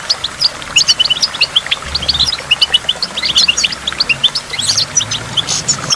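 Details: Goldfinch singing beside a waterfall: quick, bright twittering and tinkling notes run almost without pause, with short sliding whistles between them and a low hum in the background.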